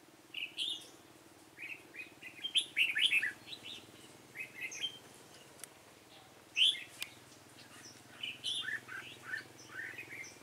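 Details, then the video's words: Red-whiskered bulbul, yếm đậm type, trapped using a decoy bird, 28 February 2017: clusters of cheerful, bubbling chirped phrases repeated every second or two, with occasional sharp clicks in between. "Bẫy chào mào yếm đậm"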